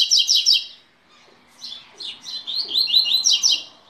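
Double-collared Seedeater giving a fast, high, scratchy song of rapid twittering notes in bursts, with a brief pause between phrases.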